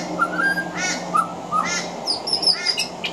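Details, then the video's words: Singing male pied butcherbird on a veranda mixing mimicry of other Australian birds into its song: short mellow whistles repeated between rasping harmonic chatters, then thin high squeaky notes, over a low steady hum and hiss. "Mimicry of the pied butcherbird"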